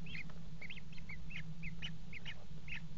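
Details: Common kestrel pair mating on the edge of a water-tower nest box, 5 February 2018: rapid, insistent run of high hooked, whining notes, several each second, over a constant low hum.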